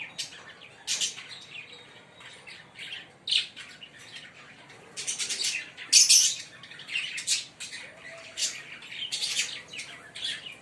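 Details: Green Fischer's lovebird pair calling: scattered sharp high chirps and squawky bursts, some loud and harsh, irregularly spaced over a quiet background.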